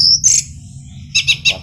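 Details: Short fragment of male orange-headed thrush song. A high thin whistle slides upward, a quiet gap follows, and then a quick series of three or four harsh, chirpy notes ends it. A faint low hum runs beneath.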